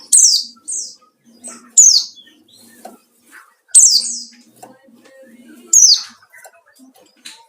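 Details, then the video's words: 'Ngalas' style white-eye song meant to provoke rivals: loud, high, downslurred chirps in short bursts roughly every two seconds, with fainter twitters and soft wing-like rustles between them. "burung pleci ngalas cari lawan//ampuh buat pancingan"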